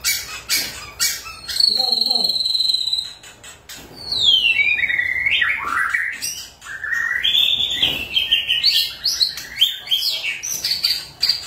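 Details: White-rumped shama in full song as a lure to set other shamas singing: sharp ticking notes, a held whistle, then a long tumbling series of rich whistled phrases that fall and climb in steps.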